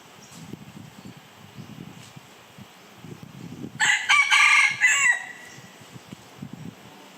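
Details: A red junglefowl crows once in a short, loud, harsh burst of about a second and a half with a clipped, strained ending, set against a quiet background of faint low rumbling.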